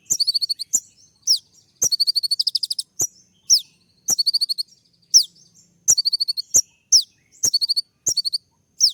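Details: Sunbird (kolibri ninja) singing 'tembak' style to court a female: short, very high rattling bursts of quick notes, each ending in a sharp descending squeak, repeated about every half second with crisp pauses.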